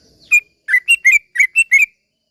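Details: Yellow-vented bulbul in the chattering 'ropel pelan' slow-roll singing style, used as a lure to excite other bulbuls into singing: a brief downslurred note, then six rapid bubbly, liquid chirps in quick succession, clean with no background noise.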